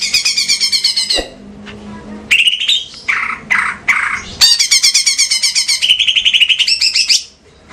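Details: Caged female greater green leafbird from Banyuwangi, kept as a lure for training other leafbirds: loud, high, rapidly repeated chattering notes, then lower whistled slurs and renewed fast trilled bursts.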